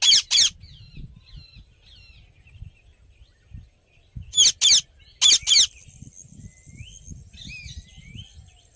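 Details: Indian ringneck parrot, described as happy, lets out a loud harsh double squawk, then two more paired screeches later, while small birds chirp and whistle faintly in the background.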